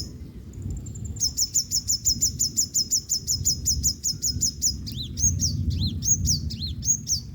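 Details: Yellow-bellied sunbird, female, drying off after heavy rain: a fast run of about sixteen evenly spaced, piercing high chips, then a looser string of varied notes swooping up and down, over soft low background noise.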